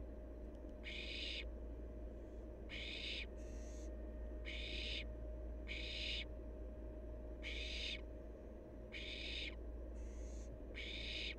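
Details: Wild barn owl fledgling, playful and active: harsh, breathy hisses repeated steadily about every one to two seconds over a constant low hum.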